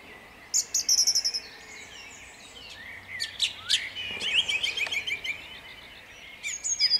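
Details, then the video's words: Dawn song of a song thrush in Jabłonna, 29 April 2021: bright whistled and chattering phrases, some of rapidly repeated notes, separated by brief gaps of quiet. "Drozd śpiewak śpiewa o świcie w miejscowości Jabłonnej."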